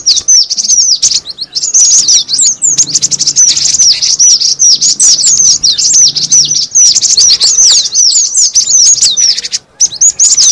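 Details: Cinereous tit lure recording: steady, dense stream of high slurred chirps and twitters, busy and nearly unbroken, with a short dip near the end.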